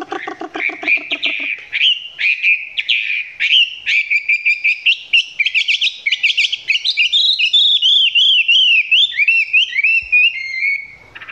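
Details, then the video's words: Close recording of a Chinese hwamei in partial song: rapid chattering notes building into a long, rich stream of varied whistles, rising and falling slurs repeated in fast succession. "Quay gần em mi hót chưa căng lắm nhưng tạm chơi được"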